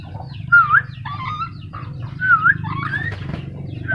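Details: Black-capped lory whistling: twisting, rising whistled notes in pairs, repeated about every two seconds, over a low droning hum with faint chirps of other birds.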